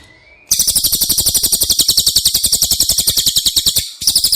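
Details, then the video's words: Cililin song used as training material for caged White-rumped Shamas: a long, fast, dry, very high-pitched rattling trill of evenly spaced notes, briefly broken near its end before restarting. "Masteran CILILIN Materi Wajib untuk Burung Murai Batu anda!!"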